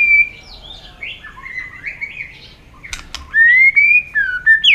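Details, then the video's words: Competitive singing by a white-rumped shama: soft, blurred warbling at first, a couple of clicks, then loud pure whistles rising gently and a final sharp upslur. "chòe lửa căng lửa bắn giọng dây,nhiều giọng"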